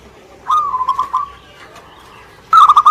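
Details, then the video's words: Indonesian local zebra dove giving a softer wavering coo followed after a pause by a louder, rapid stuttering burst of mellow notes, in a quiet setting. "Suara Gacor perkutut lokal"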